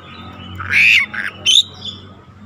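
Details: Oriental magpie-robin lure recording meant to spur other birds to sing: three short, harsh, scratchy bursts, the last one higher and sharper, over a steady low background hum.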